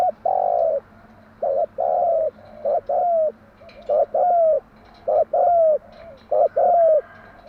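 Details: Spotted dove singing a set morning song used to stimulate and train captive doves: four repeated phrases about every two seconds, each one or two short hollow notes leading into a longer, falling coo, over a faint steady hum.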